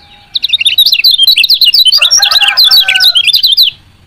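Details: Rapid chattering chirps from a female lemon-bellied white-eye, a call meant to spur reluctant males into song; dense high twittering for over three seconds, with a lower thin whistle beneath partway through.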